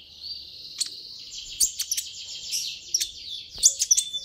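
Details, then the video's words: Continuous high buzzy trill from a sunbird, locally kolibri ninja, used to provoke a reply. Sharp chirps punctuate the trill throughout, fast and irregular. "suara ini bisa bikin Kolibri ninja naik pitam"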